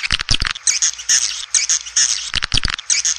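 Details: Swiftlet calling meant to attract the birds into a nesting house. Harsh, buzzy twittering bursts alternate with quick clicking notes in an uneven, chattering rhythm.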